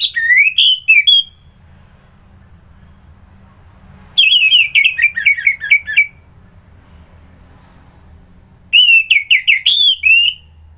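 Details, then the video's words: ['Orange-headed thrush (anis merah) singing in the morning, Kubutambahan, Singaraja, Bali: three bursts of loud, rich whistled phrases with quick slurred notes and trills, separated by pauses of about three seconds, over a faint low hum.'] "Merdu Kicauan ANIS MERAH Gacor"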